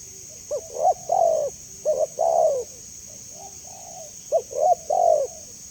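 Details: Clear spotted dove call meant to draw quick replies from other doves: a short note, quick rising coo and long wavering coo, repeated three times, with a softer distant coo in the middle and a steady hiss.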